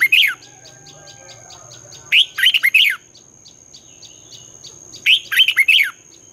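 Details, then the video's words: Red-whiskered bulbul giving morning competition song in the 'twisted' voice style, used to train young birds to sing: three bursts of rich, fast warbled and slurred whistled phrases about every two and a half seconds, over a faint steady high tone and soft ticking. "luyện chào mào hót sáng, Giọng xoắn hay dùng để ép bổi, Má trắng học giọng rất hay, chào mào hót đấu"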